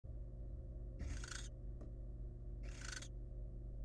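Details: Wild barn owl at a monitored nest box as the male delivers a large rat to the family: two long, harsh hissing screeches about a second and a half apart, with a faint click between, over steady low hum.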